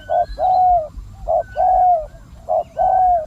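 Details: A decoy spotted dove set out to attract wild doves utters a close, clear short coo followed by a long hollow one, the pair repeated three times.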